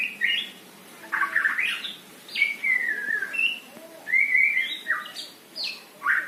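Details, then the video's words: Male white-rumped shama singing: clear whistled phrases, some rising, some falling and slurred, separated by short pauses, with sharp high notes mixed in; quiet background. "#muraibatu #kicaumania #muraijantan"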